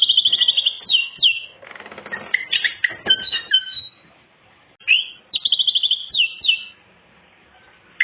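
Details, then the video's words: Singing greater green leafbird with full fill material, meant as a tutor for untrained birds: rapid trilled high whistles and twisting phrases, with a brief rustling, scratchy noise in the middle. "Cucak ijo bongkar isian full materi , sangat ampuh pancingan burung bahan"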